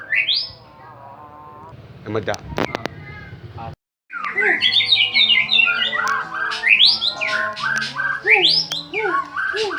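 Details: Champion white-rumped shama giving a lure song to provoke other birds: an opening rising whistle, a stretch of clicks and knocks, a brief silence, then a rich, rapid stream of varied whistled phrases over a low hum.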